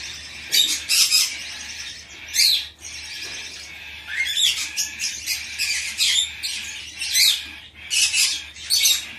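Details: Hand-tame Bourke's parrot, young bird, filmed in Fukuoka, Japan, on 10 September 2024: harsh, broadband squawks come in short bursts separated by brief pauses, with several bursts clustered together and no other clear sounds.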